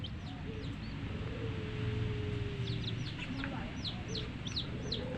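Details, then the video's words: Baby chicks of the domestic hen, colour-dyed, give bright, high, falling peeps that become frequent in the latter half. A steady low hum and a faint humming tone lie underneath. "LOVELY Hen Baby Chicks, Witty MURGI Baby "Chicks Chirping" Sound"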